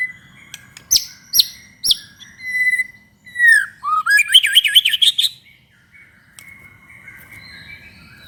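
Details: White-rumped shama (murai batu) in vigorous 'gacor' song, used to provoke other shamas to sing: sharp chipping notes, slurred whistles, then a fast rising trill of bright notes before a quiet ending.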